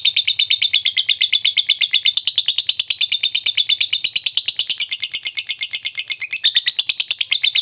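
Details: Ngekek fighter lovebird lure for provoking silent lovebirds to sing back: a long, dense, rapid trill of sharp high notes, about three per second, steady and unbroken throughout.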